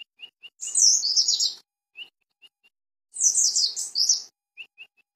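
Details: Song of a mountain white-eye (pleci dakun) from Cisewu, Garut: two bursts of fast, jumbled high twittering, each about a second long, separated and framed by short, sharp single chips.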